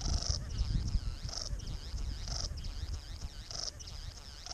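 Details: A male Satin Bowerbird's courtship song at his bower in eastern Australian bushes, recorded by a hidden GoPro: harsh, buzzy bursts about once a second, woven with wavering, whirring high notes, over a steady low rumble.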